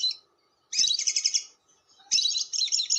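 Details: Long lovebird chatter (ngekek panjang) for attracting lovebirds: a brief squeak, then an extended rapid, grating, high-pitched rattle, a pause, and another long harsh buzzy outburst.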